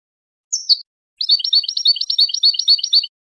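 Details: Goldfinch song: a thin descending high note, then a short pause and a rapid, liquid twittering trill of alternating high and slightly lower chirps lasting about two seconds.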